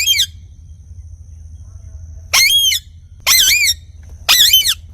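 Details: Parrot repeating arched, squealing harmonic calls roughly once a second, each note sliding up then down, with quiet gaps between.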